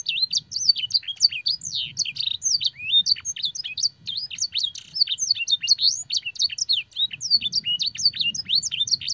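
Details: Canary master song with blackthroat and sanger phrases, a long energetic torrent of high chirps, whistles and twitters, with a faint low rumble underneath.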